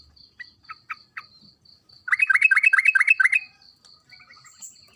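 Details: Energetic yellow-vented bulbul song played as a lure; a few short notes lead into a rapid run of about eight bubbly, gurgling phrases, with a steady pulsing insect trill throughout.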